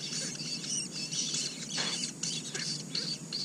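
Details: Four parasitic Asian koel chicks in the nest of a red-billed blue magpie keep up a rapid, insistent stream of high, sharp squeaking notes, closely packed and overlapping, over faint hiss.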